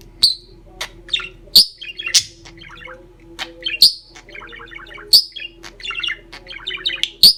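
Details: A chatty bird giving loud sharp high chirps every second or so, mixed with softer rapid chattering warbles between them, over a steady low hum.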